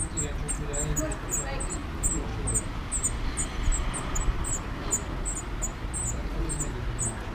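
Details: Spotted flycatcher nesting among screws in Dombóvár, Hungary, 8 June 2017, recorded from a window hide: thin, very high, short call notes repeated irregularly about every half second over a steady low rumble.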